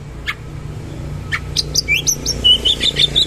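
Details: Oriental magpie-robin in a shooting-roll song with coarse material and rich fillers. Faint scattered clicks give way to a quick series of bright chirps and short whistled notes, over a low background hum.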